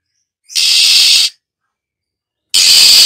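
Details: Female Oriental magpie-robin, a kept songbird, giving harsh hissing 'khè' calls meant to stimulate newly caught birds to sing. Two long, dense, scratchy bursts, each under a second, with a gap of silence between them.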